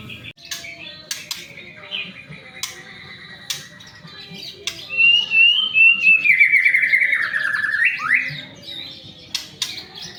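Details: White-rumped shama singing a lure song meant to get other shamas singing quickly: sustained whistled phrases that swell into a loud, rapid warbling trill with falling slurs midway, punctuated by scattered sharp clicks.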